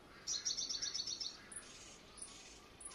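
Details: Decoy white-bellied five-coloured sunbird exercised in the morning, Quảng Ngãi, Vietnam, 21 May 2020, giving a quick run of about a dozen thin, very high notes in one second, followed by scattered faint high squeaks.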